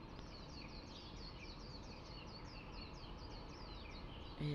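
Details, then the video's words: Early-morning birdsong from a park in Hong Kong, heard from a window: a busy flock of birds gives rapid, high, twittering chirps in a steady stream, set against constant low background noise, with a brief thump at the end. "Nagising Ako sa Huni NG mga Ibon"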